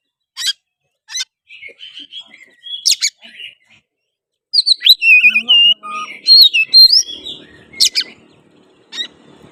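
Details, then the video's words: Provoking song of an Oriental magpie-robin, aimed at stirring a silent rival into singing, fighting and tail-spreading: scattered sharp chips first, then a dense run of varied whistles and trills, with a low murmur underneath toward the end. "suara kacer gacor pancingan kacer susah on pasti langsung on tarung buka ekor"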